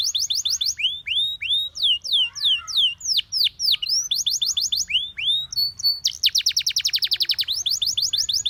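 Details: Canary singing for training: steady sequences of downward-curving whistles at about three per second, broken by fast high trills and a long rapid rattling run near the end.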